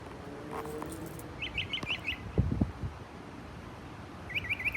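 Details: Mockingbird showing off its mimicry: two short bursts of four quick, bright, repeated chirps, one early and one at the end, with low thumps and faint background noise between them.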